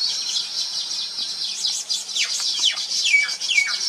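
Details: High, busy chatter of Baya weavers (Thookkanam Kuruvi), with sharp descending squeaks cutting through the steady wheezing in the second half; recorded on a Nikon P1000 camera.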